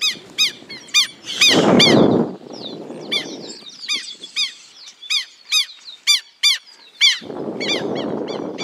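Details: A pair of Southern lapwings attack the person recording, calling with sharp, nasal, harmonic yelps repeated nearly three times a second; loud low blasts of wind or handling noise break in twice.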